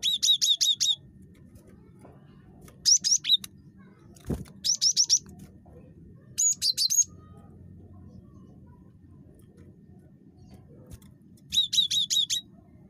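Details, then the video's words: Very chattery cinereous tit (gelatik batu) giving bursts of four to six high, sharp repeated notes, each burst about a second long, spaced by pauses of one to two seconds, over a faint low hum. "GELATIK BATU SUPER CREWET"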